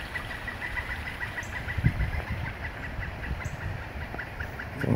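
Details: Pileated woodpecker living around a backyard with nest holes in the trees, a noisy bird heard twice daily, especially in the evening; a long, steady series of evenly spaced, ringing notes continues throughout over a low rumbling background.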